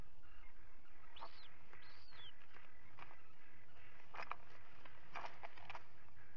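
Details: Common guillemot nest ledge on a live camera on 27 June 2020 where two chicks have hatched; two clear, arched, whistled notes rise and fall, followed by scattered knocks and scraping sounds over a low, steady hum.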